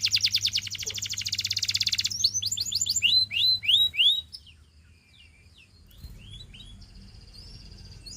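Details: Canary singing to call and tempt other canaries into song: a fast, dense, buzzy high trill for two seconds, then a run of loud rising whistled slurs, followed by softer scattered chirps over a low steady hum.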